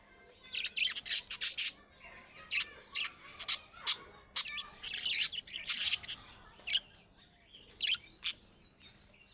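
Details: Budgerigars, Australian parrots, keep up busy chatter: bursts of scratchy chirps and squawky notes, several per second in clusters, from more than one bird.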